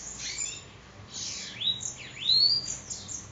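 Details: Bananaquit known locally as sibite, from Parnamirim, Rio Grande do Norte, delivering thin high whistles: a descending slide into a level note, then a sharp V-shaped dip and rising sweep.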